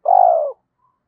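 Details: A single long, smooth, low coo from a decoy spotted dove meant to excite wild doves into calling. It holds steady, then fades out gently, with silence afterward.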